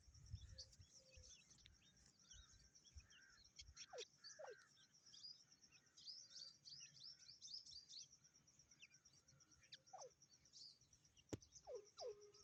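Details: Grey francolin (teetar) chick calling: short, sharply descending whistled peeps and brief flat piping notes, scattered at irregular intervals among other high chirps, over a constant high insect-like buzz and low rumbling background.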